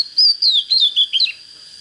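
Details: Oriental magpie-robin, young and untrained, starting to get fired up, delivers five or six loud slurred whistles that dip and rise, ending in a quick twisting note, against a continuous thin high tone.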